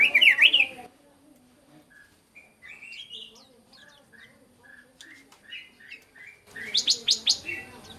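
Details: Black-crested bulbul song played as a bird-calling lure: a short, bright warbling burst at the start and a louder, chattering phrase at the end. Between them come scattered soft whistled notes.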